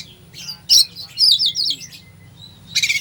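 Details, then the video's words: Oriental magpie-robin singing a full fill-in song used to stir a sluggish magpie-robin. A sharp chip leads into a loud warbling run of descending whistled notes, followed by a thin whistle and a final buzzy burst. "Kacer full isian , cocok buat pancingan emosi Kacer lemot"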